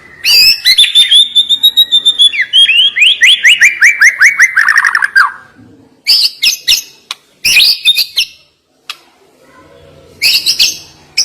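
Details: Murai batu song of the sharp, hard-hitting isian style: a long descending run of rapid repeated whistled notes, followed by short high choppy bursts separated by silences.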